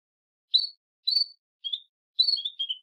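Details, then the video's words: Calling for a mate, a female Belgian canary gives five short, high chirps spaced about half a second apart. The last notes are slightly lower and drawn out. "Canário Belga Fêmea Piando e Chamando Muito Para Acasalar"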